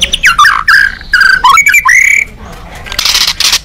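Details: Emotional, excited white-rumped shama song, played to make other shamas call back: loud clear whistles, some sliding upward, in short separate phrases, ending in a harsh hissing burst.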